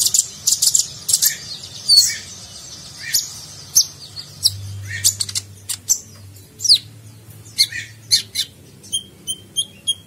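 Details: Sunbird (konin) training recording for contest birds, nagen style: varied high sharp chips and short swept notes in irregular bursts, ending with a rapid ticking trill, steady low hum underneath.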